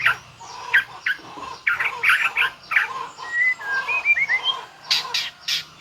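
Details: White-rumped shama song with mimicked phrases from its full repertoire: harsh scratchy bursts, then a string of short clear upslurred whistles, followed by more rasping notes.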